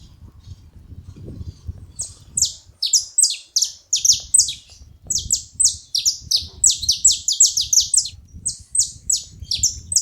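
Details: Saffron finch, known locally as canário-da-terra, calling loudly: rapid bursts of shrill downward-sliding chirps, often doubled or tripled, running almost continuously after a two-second start, with low background rumble at intervals.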